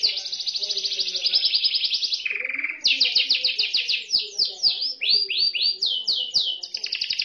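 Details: White canary singing loud, rapid rolling trills of repeated high notes, dropping briefly into a lower buzzy tour before resuming with sweeping downslurred whistles.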